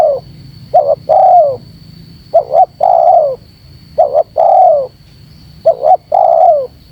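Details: Provoking call of a spotted dove for luring wild doves. Four phrases of a short doubled note plus a long falling coo, roughly every one and a half seconds, with a constant high whine.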